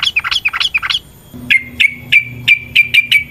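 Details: Yellow-vented bulbul notes played to rouse other bulbuls into combative singing: a quick set of bubbly, wavering whistles, then a series of sharp, evenly spaced chips about every third of a second.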